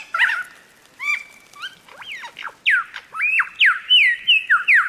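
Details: Lyrebird in song, pouring out a varied run of notes: short slurred whistles, sharp downward sweeps and a quickening series of rising-then-falling loud notes near the end, with no other clear sounds.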